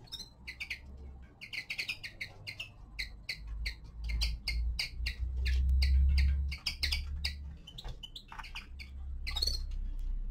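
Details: A young male linnet gives winter descant song: a long, fast series of short, high twittering notes, some doubled, repeated at a brisk uneven rhythm, with low rumbling thuds in the background and a louder rasping note near the end.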